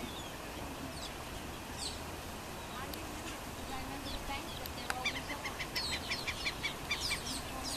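Black-necked stilt giving a quick run of sharp, yapping notes, about three per second, after a few scattered calls, over steady wind or water hiss.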